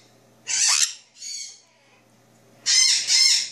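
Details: Captive male Jenday conure, two years old, heard in the early morning after a drink of bird milk. Harsh rasping screech, a softer shorter rasp, a pause, then a loud doubled screech, over a constant low hum.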